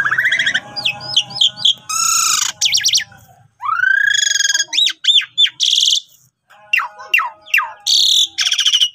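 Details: Asian pied starling in full, energetic song, used as a lure recording to train quiet starlings to sing: loud varied phrases mixing rising whistled notes, harsh buzzy bursts and rapid chattering trills, with short pauses between phrases.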